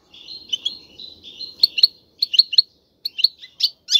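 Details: Caged male European goldfinch singing strongly to stimulate a female to mate and nest; soft twittering warbles give way to sharp, bright chirps in bursts with short silent gaps.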